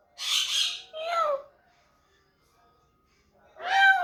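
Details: A pet talking parrot making various sounds indoors: a rough squawk followed by a falling whistled call, a pause, then another harsh rising squawk.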